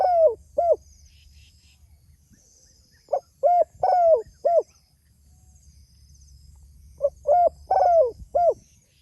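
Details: Spotted dove calling to its companions: three cooing phrases, each a couple of short soft coos followed by a longer, slightly falling coo, with faint high chirps of other birds in the background.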